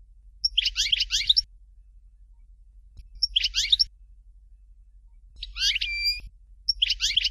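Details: European goldfinch singing in the Dalya style known as "Fort de L'eau": short bursts of bright, liquid twittering with quick up-and-down notes, repeated roughly every two and a half seconds, one phrase ending in a steady whistled tone, with quiet pauses between.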